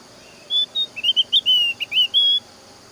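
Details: Javan grey-throated white-eye song, used to lure other white-eyes into singing: a short run of clear high whistled notes, some wavering, about ten in under two seconds, over a faint steady hiss.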